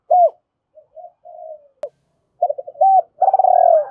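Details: Decoy spotted dove singing the 'gáy gọi hai hậu' calling style that draws wild doves to lime-stick traps; soft short coos build into a hooked note and a long, throbbing, descending coo, with a sharp click midway.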